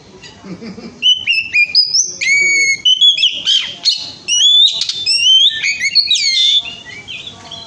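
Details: Oriental magpie-robin singing energetically, used as a lure to make other birds sing: after a soft start, a long series of clear whistled notes, upward and downward slurs and scratchy chatters in quick succession, ending abruptly.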